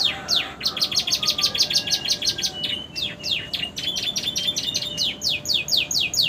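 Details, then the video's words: Romeo canary in fresh feathers delivering a long song with prenjak and ciblek imitations: quick high rattling chirps, a rising thin whistle, then rapid downslurred notes repeated several per second. "kenari romeo gacor isian prenjak ciblek durasi masuk"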